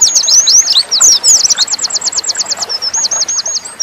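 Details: Oriental white-eye of the dakun type singing in the nembak style: a high, rapid run of sharp twittering notes, then a fast even trill of repeated chips and a few looping whistled phrases, with light background noise.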